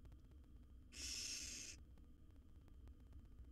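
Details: Barn owl nestling in a wild nest box while swallowing a rat; one rasping, breathy hiss of nearly a second, then low hum and faint ticking.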